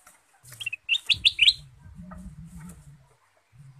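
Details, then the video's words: Male goldfinch (kutilang emas), lively and chattering, its song used as a lure: a brief burst of five quick, sharp rising chirps, followed by a low humming rumble and scattered faint clicks. "kutilang emas gacor dan lincah pancingan ampuh dengan suara merdu"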